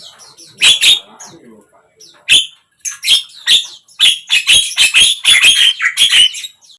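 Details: Javan myna song, played to coax a silent bird into singing; harsh, scratchy bursts with whistled overtones in irregular series, a short pause near the start, then quicker and denser chattering phrases through the second half.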